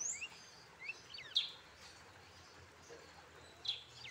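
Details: Pet brown-throated sunbird, tame since raised by its keeper, uttering scattered sharp high chirps and short thin slurred notes separated by pauses, over faint background hiss.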